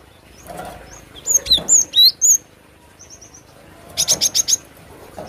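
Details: Cinereous tit song: a quick series of high, sharp whistled notes sweeping down, then a pause and a second burst of five rapid, evenly spaced high notes, with faint low background noise.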